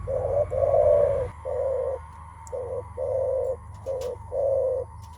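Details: Spotted dove 'menguku' calling at a rival before a contest of strength, typical of males; a run of soft, hollow coos, first two joined, then short separate notes at irregular gaps over a steady low hum.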